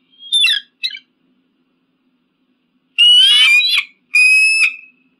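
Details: Eagle screams: two short, sharp notes, a silent gap, then two long, harsh, ringing screams rich in overtones, each under a second.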